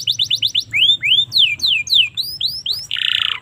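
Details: Domestic canary, Indonesia, tutor song for young birds: a quick trill of short notes, then loud clear downslurred whistles repeated about three times a second, finishing in a fast buzzy rattle.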